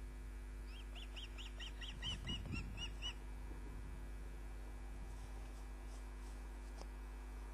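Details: Osprey calling at its nest on a live camera: a run of about ten clipped, rising-falling whistled chirps for over two seconds, then a brief thump and fainter notes, all over steady electrical hum.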